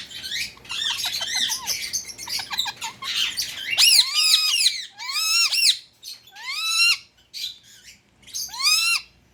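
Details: Pet Indian ringneck parakeet calling: after a jumble of mixed chatter, four loud harsh squawks with sharply arched, rising-then-falling notes, each about half a second long and spaced roughly a second or more apart, in a small room.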